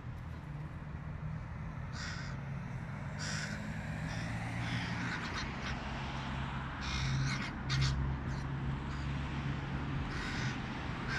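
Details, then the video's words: Young crow fledgling pleading with its mother for a peanut, giving a string of short, rough, scratchy begging calls at uneven intervals, some in quick pairs, against a constant low rumbling background. "Fledgling crow Pantsy begs his mom for a peanut"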